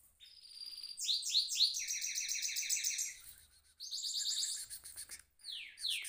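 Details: Caged goldfinch mule rolling: rising swept whistles repeated three times, then rapid high twittering trills, a brief break, and more fast buzzy rolls with descending slurred notes at the end.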